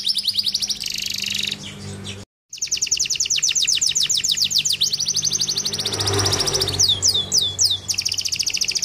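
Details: Canary song played to get lazy canaries singing: dense high trills running fast and continuously, a brief silent gap, then rolling rapid notes and a few slurred whistles; faint low hum beneath.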